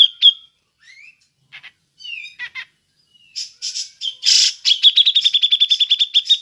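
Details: A grey-cheeked bulbul doing ngepik, a call suited to luring birds: scattered whistles and scratchy notes, then loud harsh bursts leading into a quick repeated series of piercing pik notes.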